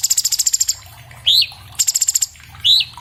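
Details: Chloropsis hardwickii song recorded by phone as a master for cage birds, with quick high ticking runs alternating with loud upward-sweeping whistles roughly every second and a half.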